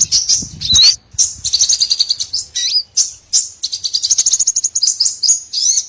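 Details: Trapping lure of small birds: bright high chatter and buzzy rattling phrases, a few swooping whistles, bursts separated by short silences.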